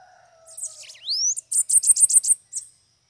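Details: Bananaquit song near a cage, with several free birds arriving: a high, rapid, buzzy burst of six or seven sharp notes after a rising sweep, preceded by faint low whistles.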